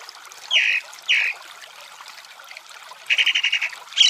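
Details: Chalk-browed mockingbird with water in the background: two separate harsh, slurred notes about half a second apart, then a quick run of about eight even chattering notes near the end.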